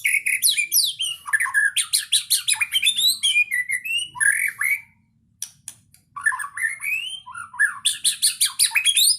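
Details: Energetic full-isian song of a white-rumped shama (murai batu): loud, varied whistles, rising and falling slurs and rapid trilled bursts packed closely together, a brief silence in the middle, then more rich whistled phrases.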